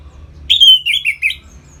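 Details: Short ngeplong phrase of an orange-headed thrush, used to push captive birds into breeding mood: a bright drawn-out whistle followed by three quick falling notes.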